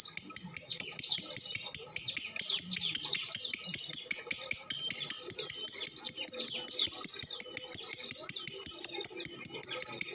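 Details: A female lovebird sings a long-duration bout meant to prompt other birds to sing, delivering a continuous train of sharp, high chirps roughly two and a half per second, evenly paced, with faint low noise underneath.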